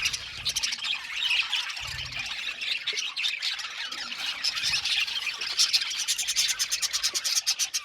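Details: Aviary colony of Australian budgerigars: a continuous wall of bright, chattering warbles and squeaky chirps from many birds at once, with a few short low thuds in the background.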